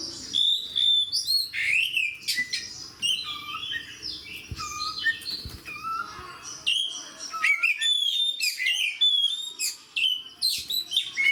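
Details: Fierce fighter song of oriental magpie-robins: a long, dense stream of varied whistles, sharp upslurs, downward slides and harsh bursts, growing busier toward the end.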